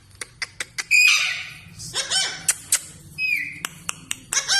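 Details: Parrot giving sharp repeated clicks mixed with raspy squawks and a short whistled downslurred note, in quick irregular sequence.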